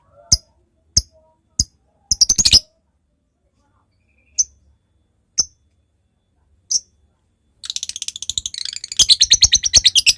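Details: ['Lovebird ngetik turning into ngekek, used as a lure for a rival: sharp isolated ticks and a short chattering burst, then a sustained fast buzzy chatter trill building in strength to the end.']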